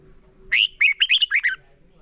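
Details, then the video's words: Red-whiskered bulbul song used as a lure recording for training caged birds to sing: a single fast phrase of about seven bright, warbled, slurred notes rising and falling, lasting about one second, with a faint low hum beneath. "Chào mào hót"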